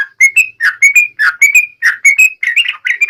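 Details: Yellow-vented bulbul singing sharp 'ngalas' style, meant to make other bulbuls respond: quick run of bright chirped and whistled notes, about fourteen in three seconds, slightly rising, no background noise.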